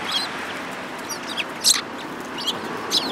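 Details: Short sparrow chirps from 29 January 2018: a handful of high, clipped notes spaced unevenly over a few seconds, above steady background noise.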